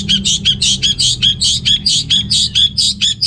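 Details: Orange-headed thrush from North Bali, kept to stimulate unmotivated males: harsh, buzzy rasping notes repeated about twice per second in a steady chattering string, with faint low hum underneath.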